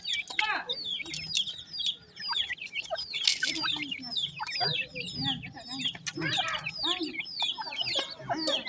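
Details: Grey francolin (teetar) chicks calling together: a dense chorus of short, high, down-slurred peeps repeated rapidly and overlapping, with softer low clucking notes and scattered wing or handling noises underneath.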